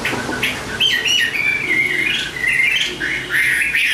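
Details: Chinese hwamei (Garrulax canorus), song.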